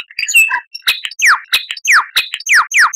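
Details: Lyrebird singing for cage birds to imitate: mixed whistles and squeaks at the start, followed by loud, rapidly repeated steeply falling whistles, about three per second.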